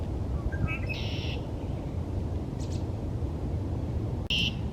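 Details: A male Red-winged Blackbird by a pond at Iroquois Park on a cloudy, rainy March 22, 2024 morning gives short lead-in notes, a harsh buzzy trill and a second burst, under wind and footsteps. Red-winged Blackbird.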